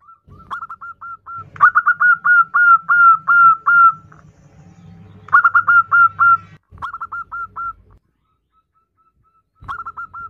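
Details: Zebra dove female calling the male, giving rapid runs of clipped whistled coo notes. Loud bursts alternate with softer spaced notes and short pauses, with a low droning hum beneath.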